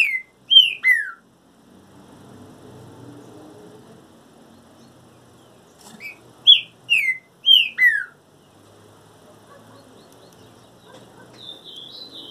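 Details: Trinca-ferro, or green-winged saltator, in moult sings twice: each phrase has three loud whistles sliding downward, about six seconds apart, with soft warbling near the end.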